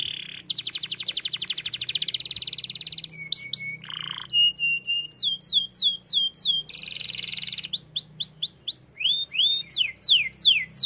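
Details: Canary singing vigorously: a long rapid trill gives way to varied phrases of buzzy notes and repeated, whistled downslurred sweeps, delivered about three per second with changing pitch and tone.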